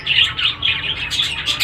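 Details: Home-bred rose-ringed parakeet chicks calling indoors: a continuous raspy, buzzy chatter of overlapping harsh notes, with brief louder squeaky bursts toward the end and a faint low hum underneath.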